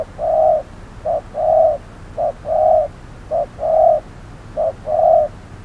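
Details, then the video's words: Trapping decoy spotted dove on a hot noon, calling toward a wary wild dove; very regular paired coos, a clipped note then a longer rounded one, repeated about every second across five phrases. "Bẫy cu gáy 10 // Mồi VR001 gặp phải con Bổi quá khôn, lúc trưa nóng bức"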